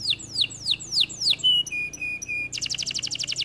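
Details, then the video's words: Canary song in quick tours: five downswept chirps, three flat pure whistles, then a fast bubbling trill, all crisp and loud. "The canary sings beautifully"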